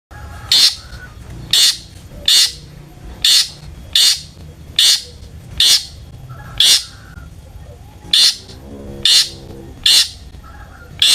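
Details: Long-tailed shrike, a caged bird kept as a lure to provoke other shrikes into singing: loud harsh broadband notes repeated about once a second, with faint chatter between them.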